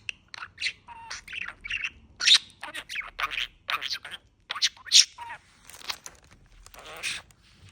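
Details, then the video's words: Male budgerigar in Bahçelievler, Istanbul, chatting and forming sentences: a stream of scratchy, word-like chatter and squeaky chirps in short bursts, with brief pauses between phrases. "Cümle kuran sohbet eden erkek muhabbet kuşu"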